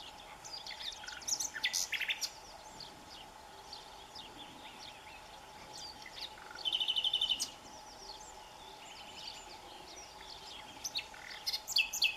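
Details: Common Nightingale singing in spring in Salamanca province, western Spain, where nightingales appear almost everywhere, even in villages: varied high phrases of sharp chirps and whistles with a rapid buzzy rattle midway, over a faint steady hum.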